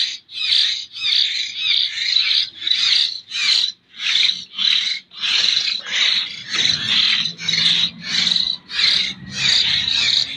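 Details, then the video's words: Jember hill myna chick, still spoon-fed, makes a rapid train of about eighteen raspy begging squawks, steady and insistent. Low background noise grows in the second half. "burung beo lolohan lokal jember"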